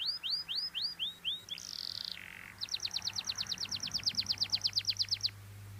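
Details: Cengkok-style canary song with repeated arched whistled notes, a sustained buzzy note dropping lower, then a rapid regular series of sharp rising notes about twenty in a row.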